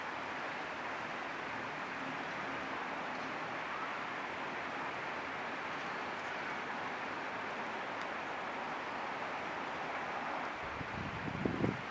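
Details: Only a steady broadband rush like flowing water or distant traffic is heard, with a brief low rumble near the end and no animal calls.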